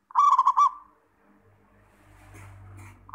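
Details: Zebra dove, local bird, recorded to stimulate other doves to sing: one rapid burst of bubbling, rolling coo notes with a trailing end, then low hum and faint rustling before the next phrase begins.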